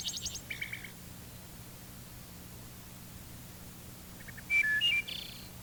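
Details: Wood thrush on a re-recorded tape: a fast fluttered, metallic-sounding ending trill opens, then after a pause a clear fluty eole phrase of stepped whistles with a buzzy high finish; faint hum throughout.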